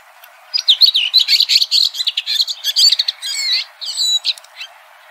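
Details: Red-throated thrush singing outdoors, giving a dense, hurried warble of high twittering and squeaky notes with quick slurs, broken by brief pauses toward the end.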